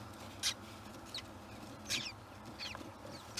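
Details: Kestrel at a nest where young kestrels are hatching, giving short, sharp, scratchy high notes about every three-quarters of a second over a low background rumble.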